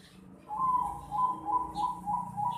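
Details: Juvenile zebra dove of the Bangkok type, 4.5 months old, uttering a quick string of clear, slightly wavering whistled notes that start abruptly and repeat several times a second.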